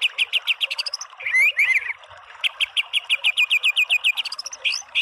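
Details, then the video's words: Gacor white-rumped shama rattling off quick repeated chips and rising notes. A brief burst of buzzy, scratchy phrases separates two long runs of rhythmic sharp notes. "MASTERAN MURAI BATU full TEMBAKAN biar EMOSI NYAUT jadi BUNYI GACOR BONGKAR ISIAN"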